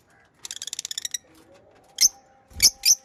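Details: Pet lovebirds: a quick run of about ten bright, harmonic chirping notes, then a pause and three loud, sharp chirps, over a faint steady low hum.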